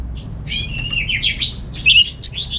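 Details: Caged orange-headed thrush, kept on Bali, Indonesia, singing a brief rich run of varied warbled and twittering phrases, quickly changing pitch, with a low background hum.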